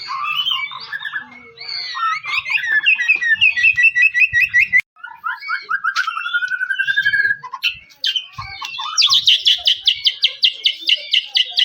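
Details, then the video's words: White-rumped shama singing to provoke other shamas: mixed whistles and chatter, a steadily rising whistled phrase, then a long series of sharp high notes repeated several times per second. "PANCING MURAI BATU BUNYI CESS PLENGG!!!"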